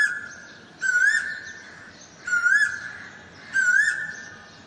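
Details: Asian koel perched in plain view in front of the camera: three clear, rising whistled notes, about one every one and a half seconds, over a steady high humming tone.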